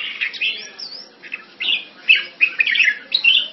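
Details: A red-whiskered bulbul kept in a cage Thai style in Singapore, February 2018, gives short, lively whistled phrases with rising and falling slurs, separated by brief gaps, in a quiet setting.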